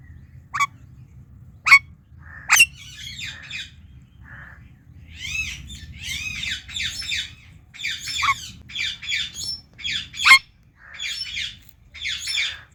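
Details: Talking Indian ringneck parakeet chirping loud: several sharp squawks, then long runs of quick, rasping harmonic chirps in rhythmic bursts, with a faint steady hum behind.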